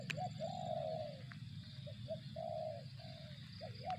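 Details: Spotted dove giving soft mid-pitched coos, short clipped notes leading into long level phrases, with a background low droning noise.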